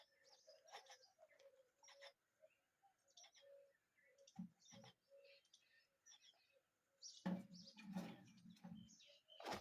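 Myna chicks give harsh, raspy chirps and wheezy squeals in irregular bursts, with some low thumps and louder scratchy outbursts near the end.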